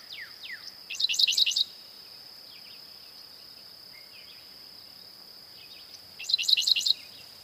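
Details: Eastern North American Dickcissel song: a short run of dry, buzzy chip notes, then a pause of about four seconds before a matching burst, over a constant high-pitched insect drone with scattered faint downslurred notes.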